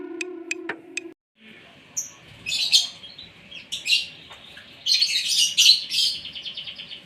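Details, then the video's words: Asian pied starling at morning feeding time, fed so it sings actively; after a few sharp ticks and a low tonal squeak, harsh bursts of scratchy, chattering notes come in irregular phrases. "SARAPAN PAGI BURUNG JALAK SUREN SUPAYA GACOR"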